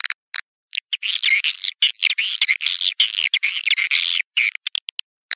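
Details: Swiftlet lure call used to attract swiftlets to bird houses: dense, buzzy twittering chatter, high and rapid, in bursts lasting a second or two with short chirps between.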